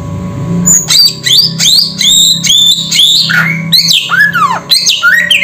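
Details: Samyong bird calling loudly: a run of clear whistled notes that rise then level off, followed by sharply falling slurred whistles near the end, over a low steady hum.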